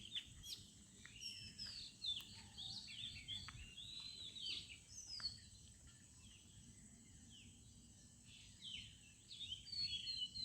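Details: Morning bird chorus in a village, with many quick high chirps and downslurred whistles overlapping continuously, a few louder bursts standing out against a low background rumble.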